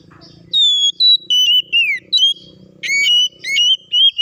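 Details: Oriental magpie-robin (kacer) singing as a lure for other birds to sing and fight: a falling whistled series, then loud level whistles with sharp upward onsets, over a low hum.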